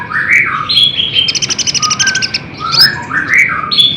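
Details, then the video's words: Olive-backed sunbird song for provoking caged birds to reply: sliding whistled notes lead into a fast, high, pulsing trill, then further rising and falling twittered phrases. "SUARA KOLIBRI NINJA GACOR FULL TEMBAKAN"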